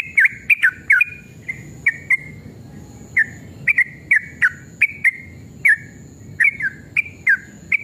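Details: Sooty-headed bulbul in emotional, combative rapid song, played as a lure for replies: spaced clear whistles with sharp downward slurs, some doubled, separated by short quiet gaps.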